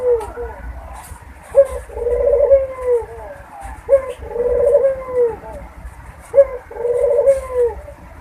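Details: Barbary dove giving its mating coo, a sound used to bring doves into breeding condition: three evenly spaced low coos, roughly every two and a half seconds, each a brief accented note followed by a drawn-out rolling purr.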